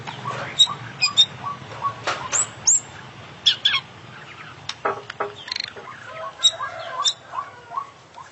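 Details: Gacor champion kacer, the oriental magpie-robin, in full isian: a busy, varied stream of sharp high chips, whistles, and scratchy notes in quick succession throughout.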